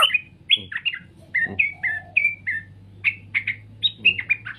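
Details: Song of a straw-headed bulbul, mellow whistled phrases delivered in short groups, some notes slurred downward, with a couple of soft thuds and a low background hum.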